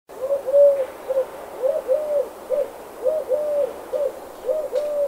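A dove coos in soft, low, hollow notes. Phrases of two drawn-out coos and a shorter one repeat about every second and a half against faint background hiss.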